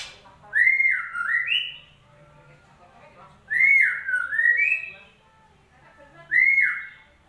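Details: Whistled white-rumped shama song played to coax a silent bird into singing: three similar phrases of slurred, rising and falling whistles, each lasting over a second, repeated every few seconds with faint background hum.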